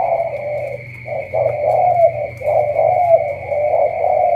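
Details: Spotted dove from Cà Mau giving dense, rolling coos that blur into long purring phrases with slight upward inflections, over a steady high electronic tone and a low hum.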